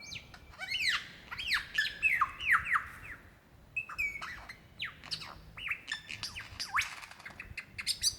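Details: Lyrebird in Dandenong Ranges National Park, Australia, February 2016, calling out to attract a female: rapid loud series of looping whistled sweeps, rising and falling, bunched into bursts with brief gaps.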